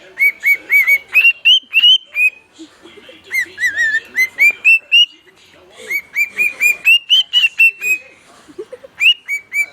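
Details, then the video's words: Caged house bird, a male, singing repeated phrases of sharp whistled upswept notes at a brisk steady pace, three bouts separated by brief pauses, each bout rising gradually in pitch. "my singing bird"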